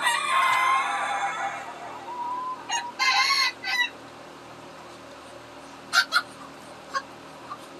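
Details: Farmyard chickens, excited at feeding time in July, stirring as their keeper comes in. A loud run of harmonic squawks and cackles fills the first two seconds. Sparser short bursts and clucks follow amid quiet pauses.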